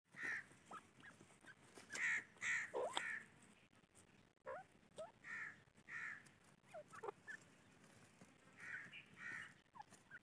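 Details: Grey francolin chicks raised on a farm, giving short high chirps in loose clusters, some dropping sharply in pitch, with gaps between bursts and faint clicks and rustling behind.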